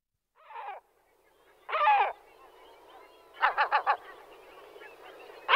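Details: Great black-backed gull (Larus marinus) gives deep, hoarse calls: a single note, a longer drawn-out cry, then a quick run of four barking notes, over faint background hiss.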